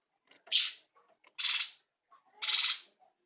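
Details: Cungkok bulbul recorded for training songbirds, in full loud song; three coarse, hissing bursts about one second apart, the first slightly higher and rougher, with faint clicks between.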